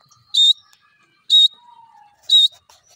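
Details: Grey francolin: three loud, short, piercing high notes spaced about a second apart, with a faint low whistle between them.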